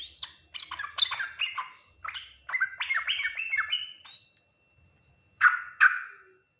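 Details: Yellow-vented bulbul singing the full Ngriwik Nguplik Tuklik-Tuklik song, a style said to get quick responses from other bulbuls. A descending series of rapid bubbly notes is followed by two loud, sharp single chirps.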